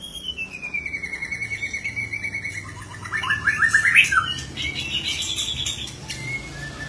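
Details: White-rumped shama (murai batu) singing vigorously: a long descending whistle slides into a bright, fast, jerky trill of bubbling notes, followed by a few short clear whistles, over a soft low hum.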